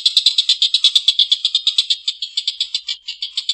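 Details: Energetic collared kingfisher producing a long, harsh laughing call. Rasping notes start rapid and dense, then space out slightly and weaken toward the close.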